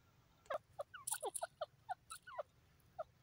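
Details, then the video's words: Grey francolin, known as Irani teetar, calling in a quick run of short, bright, slurred notes. Some come in rapid clusters and are mixed with sharp high clicks and a few fainter notes. "beautiful irani teeter ki awaaz grey partridge ke awaaz"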